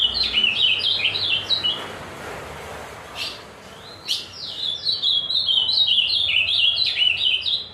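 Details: Azulão fibrado in full song, delivering quick chains of high warbled whistles that rise and fall, a brief lull with a couple of sharp clicks midway, then another long run of notes.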